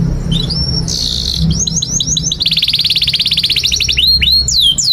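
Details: Canary song recorded to teach young canaries: soft whistled notes and a buzzy burst, then a run of short sweeps flowing into a fast rolling trill, ending with falling and rising whistles; low hum underneath.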